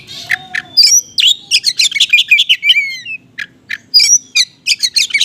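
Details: Konslet-style oriental magpie-robin song with small-bird material, played to coax hesitant magpie-robins to answer. A rapid, dense run of loud chirps, rising whistles and trills, with a short pause and then a renewed fast burst.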